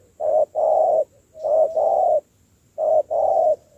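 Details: Captive wild-caught spotted dove being trained into a decoy bird gives three loud, low cooing pairs: a brief hoot, then a longer, steady coo, with short pauses in between.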